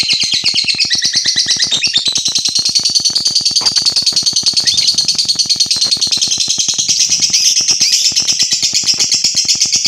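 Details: Lovebird song meant to provoke and agitate other lovebirds: a dense, nonstop stream of shrill, high chirps and rapid ticking notes, several per second, forming a continuous buzzy chatter with no pauses.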